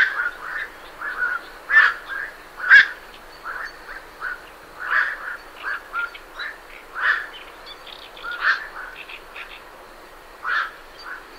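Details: Night herons leaving their roost give rough, clipped croaks roughly once a second at an uneven pace, mixed with busy Great Reed Warbler chatter throughout.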